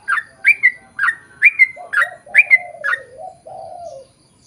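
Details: Sooty-headed bulbul singing to prompt birds of its kind to answer. A steady series of bright notes, each slurring down into a short whistle, about two a second, with a low, drawn-out warbling sound beneath the second half.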